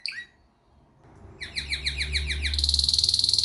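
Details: Canary song: a single short chirp, a brief pause, then a series of rapid repeated sweeping notes that speed into a dense high trill, with a low hum underneath.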